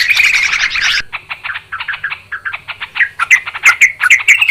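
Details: A Yellow-vented Bulbul recording used to lure birds for trapping. A loud burst of crowded chatter gives way to separate short, bubbly, slightly rising notes, repeated roughly twice a second and growing clearer toward the end.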